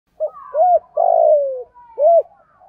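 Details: Spotted dove cooing, played to prompt a silent caged dove to start calling: a short rounded coo, then a longer drawn-out croo that slides downward, then another short coo, with faint soft notes behind.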